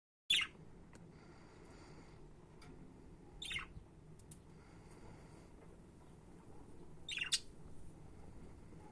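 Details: Pet budgerigars giving three short, harsh, scratchy chirps spaced a few seconds apart, with quiet room hum between them.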